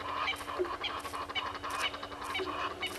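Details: Red-billed hornbill searching for food at Gowrie dam, Djuma Game Reserve, South Africa, shortly after 7 a.m. in July 2021: quick run of hoarse, nasal clucks with brief pauses between bursts.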